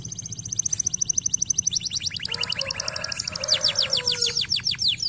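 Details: Canary trilling: a thin high rapid trill running into denser buzzy rolls and a cascade of fast descending notes, with a soft lower warble midway.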